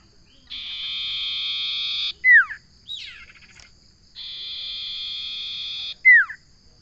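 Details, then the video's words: Two long, even buzzing trills from a common iora, each lasting well over a second and finished by a loud downslurred whistle. A short scratchy chatter sits between them. "Suara burung sirtu/ Suara burung Cipo/ Suara burung Cipow/ Suara burung cipoh"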